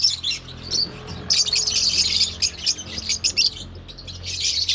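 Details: Parblue and opline lovebirds give bursts of shrill, squeaky chattering over a faint low hum, with short pauses between the louder outbursts.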